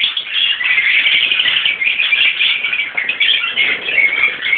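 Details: A mixed colony of rosy-faced and Fischer's lovebirds, parents and young together, keeps up a dense wall of shrill, overlapping chattering and squeaks without any pause.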